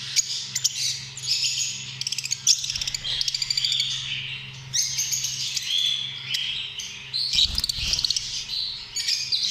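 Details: Lovebirds chattering in a busy flock: shrill squeaks, rasping squawks and quick trills overlapping, with a soft thump near the end.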